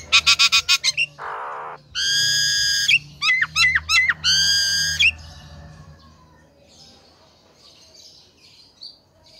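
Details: Male Nias hill myna singing: loud, clear whistled bursts, some rapid and stuttering, others held and buzzy-rich, with quick rising and falling whistles, followed by softer distant chatter.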